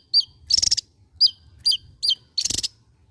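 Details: Java-endemic Javan white-eye in ngebren song: crisp descending high chirps alternating with two rapid buzzy trill bursts, each under half a second long.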